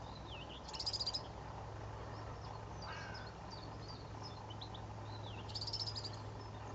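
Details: A male European Serin (Serinus serinus) sings two brief, very high, sizzling jingles about five seconds apart, with thin calls of other birds and a low rumble behind. Recorded at Berry Head on 25 May 2012.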